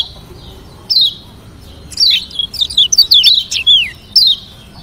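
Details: Kecial kuning from Lombok, a lemon-bellied white-eye, in a rival-provoking variation song: one high slurred note, a pause, then a lively jumble of twisting, falling whistles and a final lone downslur.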